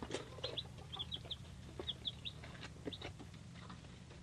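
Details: Three-day-old baby chicks of mixed breeds, including Leghorn, Polish, Buttercup, Rhode Island Red, Australorp and Cochin, give short high peeps in quick bursts, several overlapping, over a low steady hum.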